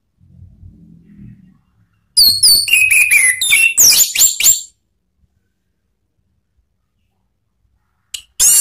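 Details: Orange-headed thrush singing in the ngeplong and ngeriwik styles, as a lure for training cage birds. A soft murmur leads into a loud run of varied whistles and sweeping slurred notes; brief sharp notes come near the end.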